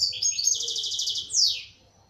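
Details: Algerian local goldfinch giving one rapid burst of song: high chattering notes that merge into a rolling buzzy trill, ending in a sharp downward slur. Faint low hum underneath.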